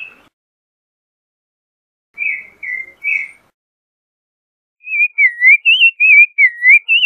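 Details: Song of a creamy-bellied thrush: three short whistled notes, a pause, then a quick run of looping, wavering whistles rising and falling, delivered in rapid succession against a silent background.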